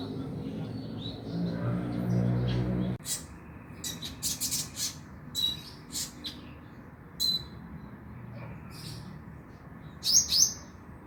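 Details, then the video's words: Van Hasselt's sunbird, on a lure recording played so a kept bird sings at night; after a loud low rumble for three seconds, scattered high sharp chips and brief whistles follow at irregular intervals. "PANCINGAN KONIN AGAR BUNYI MALAM HARI"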